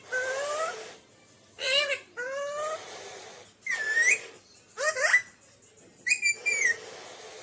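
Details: Naughty pet Alexandrine parakeet giving drawn-out wailing calls that rise in pitch, mixed with curved whistles and a sliding note near the end, in a quiet room.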